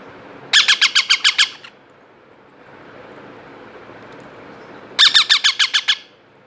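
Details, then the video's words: Two hand-fed parrot chicks aged two months produce two bursts of quick rasping squawks, about eight per burst, separated by over three seconds of near silence indoors. "Baby parrot voice and baby parrot hand feed"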